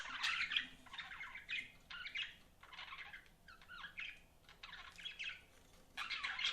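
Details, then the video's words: Pet budgerigars chatter in a steady run of rapid, warbling chirps and short squeaky notes grouped into bursts about every second, over a faint background hiss. "BUDGIES CHIRPING SOUND"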